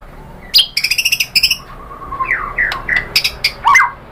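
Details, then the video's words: Lure song of a white-rumped shama, used to draw shamas into replying: rapid rattling stutters followed by sweeping slurred whistles and sharp upward notes, loud and varied. "pancingan MURAI BATU BIKIN EMOSI NYAUT GACOR BONGKAR MATERI ¦ PANCINGAN MURAI ¦ SHAMA BIRD"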